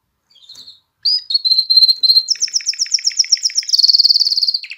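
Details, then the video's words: Canary song meant to arouse females for mating and stimulate fledglings to sing: a faint opening note, then a sharp upslur leading into steady whistled tones, fast high rolling trills and a very rapid piercing repeated phrase at the close. "تغريد كناري نار لتهييج الإناث على التزاوج وتحفيز الفراخ على التغريد"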